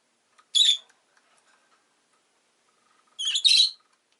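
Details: Rosy-faced lovebird kept as a pet, giving two harsh, broadband chirps about two and a half seconds apart, the second longer and more squawky, with near silence between them.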